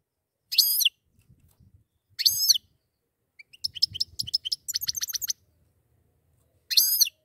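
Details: Goldfinch pair calling and singing: loud downward-bending harmonic calls open and close a burst of rapid, tinkling twitters and clicking notes in the middle, with a soft low murmur underneath.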